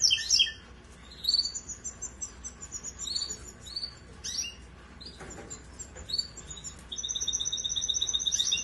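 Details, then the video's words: A Russian canary sings bright, high phrases of quick chirps and short warbles, ending in a steady rolling trill. "Russian Canary Singing"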